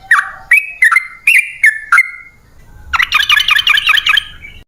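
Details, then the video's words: Sooty-headed bulbul in full, persistent song, used as a lure for wild birds. Six clear whistled notes with sharp onsets come first, then a pause, then a dense burst of fast, twittering chatter. "Pancingan Trucukan"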